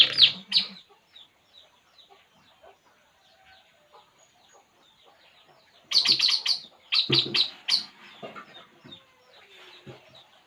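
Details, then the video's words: Puling bird at ease: two sharp chirps, then several quiet seconds of soft twitters, then a dense cluster of loud, high chirps repeated rapidly before fading back to faint calls. "burung puling. Inilah yg dilakukannya saat santay"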